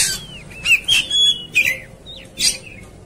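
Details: Oriental magpie-robin in a fighting mood: a long gliding whistle, several clear sliding notes and buzzy harsh bursts, delivered in quick succession.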